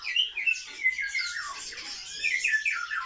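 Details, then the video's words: Kept sparrows give a short burst of loud, harsh chirps and falling slurred notes, a busy scratchy chatter from the social flock. "Воробьи - Sparrow"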